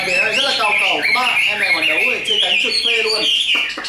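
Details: Chinese hwamei offered for sale, producing a rich continuous warble of whistled notes, with lower harmonic sounds, likely people speaking, running underneath.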